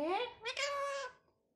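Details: Pet talking parrot mimicking human speech in Hindi, two short voiced syllables, the first rising, then a longer nasal, speech-like phrase, all high-pitched with rich overtones; quiet room afterward.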